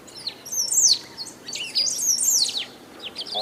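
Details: Loud, nonstop song of the Great pampa-finch from Brazil: two bright phrases of high, down-slurred whistled and chirping notes, roughly a second apart, followed by softer twitters.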